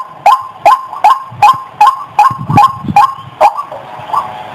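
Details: White-breasted waterhen giving nine abrupt, rasping notes in an even rhythm, then falling silent, leaving only a faint hiss in the background.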